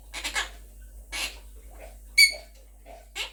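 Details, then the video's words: A pet monk parakeet, also called a Quaker parrot, talking and singing with its owner indoors gives brief harsh squawks and one sharp whistled note, separated by quiet gaps. "Quaker Parrot is talking and singing with me | Monk Parakeet Talking and Singing"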